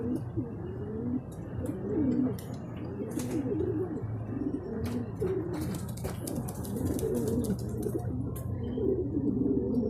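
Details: Racing pigeons during a second truck training release at Guiguinto, Bulacan, Philippines, with the birds arriving home in a group; low soft cooing phrases repeat throughout over a steady background hum, with scattered clicks and rustles.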